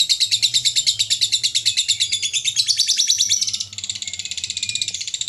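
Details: Lovebird delivering the extended ngekek chatter used in song competitions: fast, piercing trilled notes in an unbroken stream, shifting to a slightly softer, more even pulsing near the end, over a low hum.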